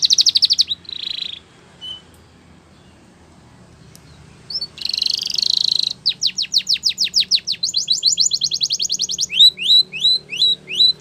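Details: Spanish Timbrado canary singing a training song: short buzzy rolls with gaps, then a long burst of rapid falling sweeps flowing into a fast even trill and rising whistled notes.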